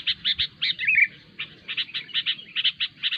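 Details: Noisy sooty-headed bulbul (kutilang) calling, a recording meant to lure bulbuls for trapping. Short bubbly chirps come in quick pairs and triplets, with a brief warbled phrase early on. A faint low hum sits underneath.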